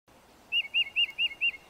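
Titmouse giving five clear, high whistled notes in a quick even series, about four to five per second, with faint background hiss.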